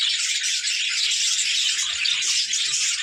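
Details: Brief burst of budgerigar play chatter: tightly packed shrill chirps and buzzy warbles merging into a continuous, rattling din.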